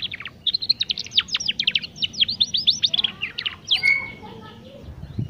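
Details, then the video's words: Young canary practising its song, intended to stimulate young canaries to sing sooner. A dense, rapid run of scratchy, steeply falling notes ends in softer, lower twitters and a few slurred whistles. "Kenari Paud Belajar Bunyi || Ampuh Untuk Pancingan Kenari Paud Supaya Cepat Bunyi"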